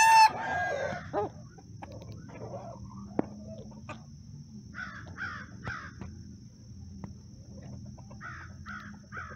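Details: A bantam rooster gives a loud, harsh crow ending the first second, then more distant roosters give fainter three-syllable bursts over a steady high whine; the roosters crow to call hens and alert to possible aerial attack.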